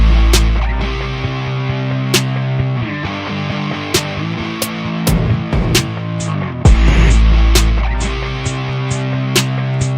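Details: Loud rock music with driving distorted guitar, bass and sharp drum hits throughout; no bird or other animal can be heard.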